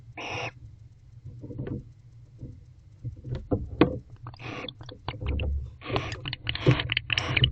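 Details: Mating barn owl pair in an owl box, 21 October 2023 at 8:25 pm. An opening hoarse screech is followed by scattered clicks, scratching and shuffling, with further short rasping bursts toward the end.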